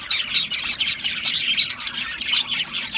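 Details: Australian parrots in steady chirping, rapid bright twittering notes tumbling over one another at a high pitch, with loud clicks punctuating the chatter.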